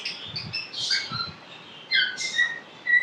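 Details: African grey parrot kept as a talking pet, producing a mix of high chirps and brief whistled notes, with short low thumps underneath and a sharp whistle at the end.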